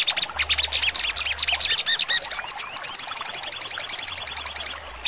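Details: Crimson sunbird (sogon) singing in the trotol style, full of sharp 'nembak' notes: very high, thin chirps and down-slurred flicks, then a rapid, even trill of about twenty-five notes over two seconds that stops abruptly; faint low hum beneath.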